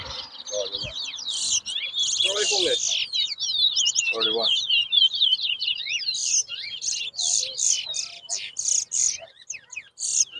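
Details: Twa-twa (Large-billed Seed-Finch) in a whistling competition at Bath Settlement, Guyana, 2022, delivering a loud, fast stream of high, sweet whistles and slurred notes, nearly nonstop, with brief human voices in the background.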